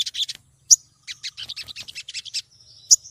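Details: Female olive-backed sunbird calling to a male, used as a lure: rapid bursts of high, thin chirps and twittering notes, broken by a few sharp, piercing accents and a short, steady high whistle near the end.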